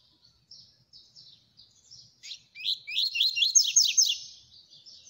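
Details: Fast Coleiro song: soft, spaced high chirps build into a rapid run of sharp, downward-slurred notes, about three per second at first and then quicker, before trailing off into a few softer notes. The background is quiet.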